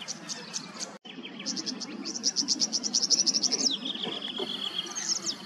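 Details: Tawny grassbird in Queensland, Australia: sharp high ticking notes, then a quick, slightly falling high trill and a thin steady whistled tone, over a low background hum.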